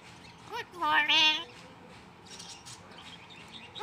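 A myna mimics human speech with a short nasal word, then a longer wavering phrase like "good morning", followed by faint chirps and background murmur.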